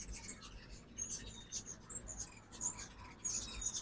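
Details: Several ruby-throated hummingbirds visiting a feeder during fall migration, morning, Oxford, Mississippi; sharp squeaky high chips come in quick clusters, with short gaps between bursts and faint low background noise.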